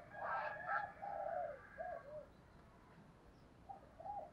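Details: Spotted dove used as a decoy, calling and cooing to excite and attract wild doves. A burst of rough, throaty notes leads into mellow low coos, then a pause and two more soft coos.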